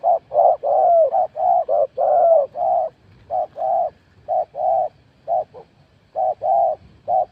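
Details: Spotted dove in a cooing match: a busy run of short, soft, low coos, closely spaced at first, then in looser pairs of clipped and longer notes.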